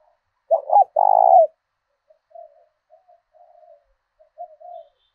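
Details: Decoy spotted dove in the southern thổ đồng calling style, meant to draw wild doves into fighting: one emphatic double-note coo followed by a long rolling coo, then several faint soft coos trailing off.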